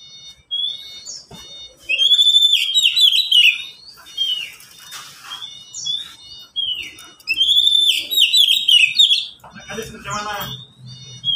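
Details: Caged Oriental magpie-robins, three kept birds calling back and forth: two bursts of loud, rich, warbled whistling with quick rising and falling slurs and chattery notes, separated by pauses, ending with a brief low rustle.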